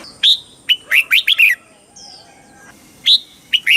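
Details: Red-whiskered bulbul from Thailand singing in the southern master-pattern style, played to excite birds and teach young birds. Short bright phrases of quick rising-and-falling whistled notes, with a pause and two more phrases, over a faint steady hiss.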